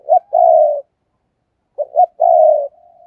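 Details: Kept decoy spotted dove giving a two-phrase coo: a quick double hoot leading into a long, slightly falling, buzzy rolling note. After a pause of about a second the phrase repeats, trailing into a faint steady tone. Otherwise quiet.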